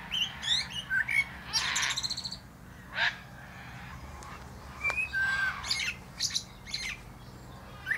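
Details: Common blackbird (Turdus merula) singing atop a plum tree: fluted whistles around the middle pitch mixed with scratchy, buzzy high twitters, phrases broken by pauses, over a faint low hum.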